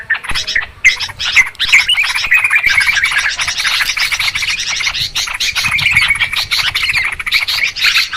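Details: Yellow-vented Bulbuls calling noisily in a trapping lure recording: continuous, busy chattering of many overlapping squeaky chirps and short whistled notes, steady throughout.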